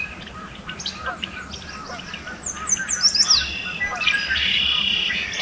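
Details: Spring yellow warbler in Alberta, Canada, singing unseen in fresh green foliage, filmed on a Nikon D500. Faint scattered notes build to a loud, high, rapid tumbling phrase midway, then a level, thin, continuous tone carries on while other small birds call softly.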